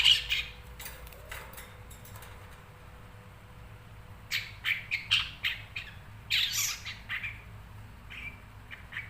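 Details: Caged long-tailed shrike brought into full form, uttering repeated rasping chirps and clicks, softer at first, then a louder busy stretch of harsh scratchy notes and a broad squawk, irregularly spaced over several seconds.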